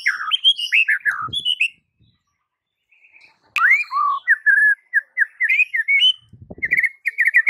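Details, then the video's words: White-rumped shama singing as a training recording for mute shamas: a burst of tumbling whistles, a pause, then a long series of quick, repeated, varied whistled notes, with a faint low rumble. "Murai Batu BISU seketika langsung TERPIKAT dengan MASTERAN murai batu ini"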